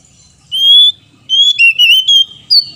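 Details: Oriental magpie-robin, male and female in duet as caged birds: one long level whistle, a pause, then quick wavering whistled notes, with a final high note.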